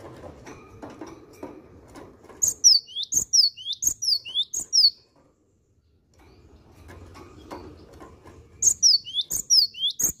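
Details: Cinereous tit singing in two bursts of bright two-note phrases, a high descending whistle then a rising lower note, separated by a few seconds of quiet; soft low clatter and background noise between bursts.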